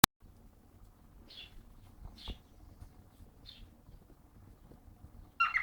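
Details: A cockatiel gives soft, spaced chirps, then a sudden loud whistled call while trying to court another cockatiel, which ignores it.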